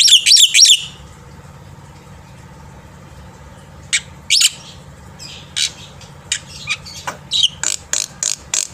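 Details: Black-winged myna singing in the morning as a tutor for young mynas. A short burst of looping whistles is followed by a steady low hum and a scattered series of sharp clicks and brief rasping notes.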